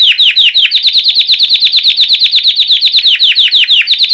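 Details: A white Belgian canary sings a loud, clean 'campainha' style song used for training and warming up birds after the moult: a fast, even trill of bell-like notes repeated about three per second without pause.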